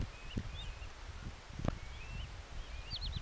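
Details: Little ringed plovers feeding in the still-soft mud of a dried-out rice field at La Corretjola, Sueca, in l'Albufera Natural Park, where local breeders and birds from elsewhere gather. They give thin, high whistled notes, several sliding downward, over a low rumble and dull thumps.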